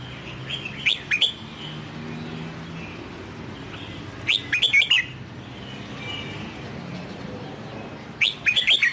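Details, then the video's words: Sông Kon style singing from a newly bought, wild-caught red-whiskered bulbul in training. Three brisk warbling phrases, each a tight run of bright up-and-down whistles, come several seconds apart against a low humming background. "Luyện Chào Mào Bổi Mới Mua Về Hót Giọng Sông Kon Hay Chuẩn Già Rừng Nhất"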